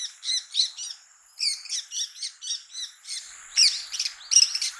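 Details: A Bull-headed Shrike in winter in Japan, in open rural country, gives harsh, squawky chattering notes in short bursts about a second apart, high-pitched and grating, with a quiet rural background.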